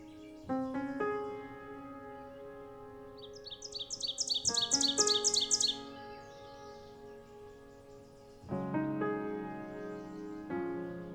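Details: On a morning in the boreal forest of Lesser Slave Lake Provincial Park, Alberta, between May and October, an Ovenbird sings a quick run of high, ringing paired notes that grows louder toward the end, over slow piano music.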